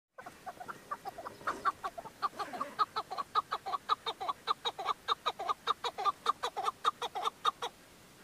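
A chukar gives a long run of harsh, clucking chuck notes, building from a soft start to a loud, steady beat of about three per second.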